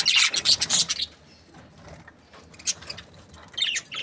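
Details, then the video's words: Budgerigar breeding pair chirping: a loud burst of rapid scratchy chirps at the start, then near quiet, then a few short high chirps and a final chattering burst. "Happy budgies chirping sounds | parakeet breeding pair"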